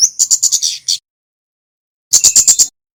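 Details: Male red Javan flowerpecker (kemade) singing, used as a training and lure recording for other small birds: two bursts of rapid, sharp, very high chirps, the second after about a second of silence, with no other sounds.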